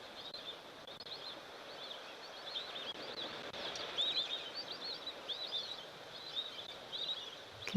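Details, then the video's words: White-faced whistling ducks in the background at a waterhole in northern KwaZulu-Natal, South Africa, 13 November 2024, giving thin, high whistled notes in short clustered bursts about every second over steady outdoor noise. "You can hear the white-faced whistling ducks in the background there."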